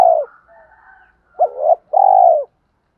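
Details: Spotted dove sound meant to provoke male doves and train decoy birds: a fading coo, soft low murmur, then a two-part wavering coo and a long even coo.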